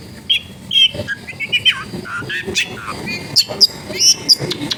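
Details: Long-tailed shrike song meant to prompt silent shrikes to sing, recorded at a home in a densely populated area: varied chattering phrases with harsh slurred notes, ending in several thin, sharp high whistles.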